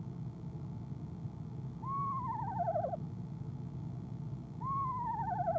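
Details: On a nest-box camera on the evening of 25 January 2015, a female eastern screech owl gives two quavering calls that start level and then slide down, over a steady low rumble.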